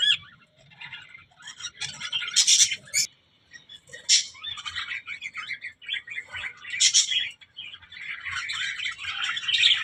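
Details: Budgerigars, described as talking, give more spaced-out chirps and warbled phrases, with loud sharp squeaks in bursts between quieter pauses and a soft low background murmur.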